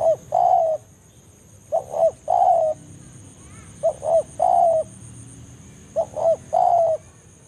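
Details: Spotted dove lure call meant to bring rival doves to a trapping ground in the forest; four phrases of two brief notes and a long coo, spaced roughly every two seconds.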